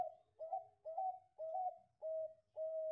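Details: Bangkok-type zebra dove singing, its song style called cengkok depan klaww ujung narik: five mellow, even cooing notes, each about half a second long, spaced evenly, with the last ones flatter and drawn out.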